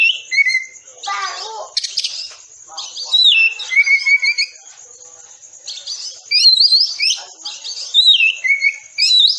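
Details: Oriental magpie-robin singing a dense 'tembakan rapat' training song for caged birds: rapid bursts of high, varied whistles, sweeping and trilled phrases and buzzy rattles, with brief pauses between the fast-fire sequences.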